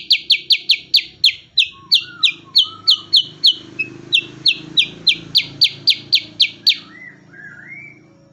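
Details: Cucak kurincang, kin of the bulbuls, in lively rapid-fire song: runs of sharp, high chipping notes about three per second with a brief pause midway, ending in a few softer lower whistles; faint low hum behind.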